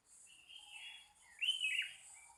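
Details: Wild birds singing in the morning at Pananjung Barat: high chirped and slurred whistled phrases, one rising then dropping sharply, over a steady high hiss of insects.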